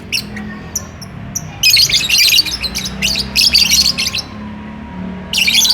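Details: Loud, rasping, shrill squawks from lovebirds courting and asking to mate, delivered in long, dense bursts with short gaps between, fairly close and dominating a quiet room background.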